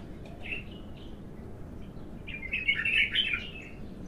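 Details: Untrained bulbul in its first song: a faint short warble early, then a richer burbling warbled phrase lasting about a second, against a low noisy background.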